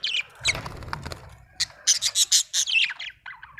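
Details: Budgie chirping after a low rustling start: a quick series of bright, sharp chirps, then scratchy chatter fading out.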